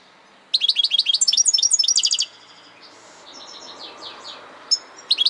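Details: European goldfinch (saka kuşu) singing a quick burst of bright, high twittering notes, fast buzzy trills repeated about four per second for under two seconds, then quiet with a few short high chirps near the end.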